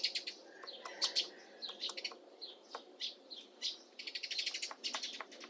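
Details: A female Syrian woodpecker (Dendrocopos syriacus) carving a nest hole in an old apple tree in mid April gives sharp, irregular knocks in quick bursts, while high chirping from other small birds fills the background.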